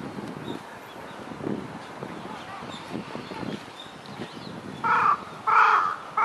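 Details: Eurasian bittern (Botaurus stellaris), call.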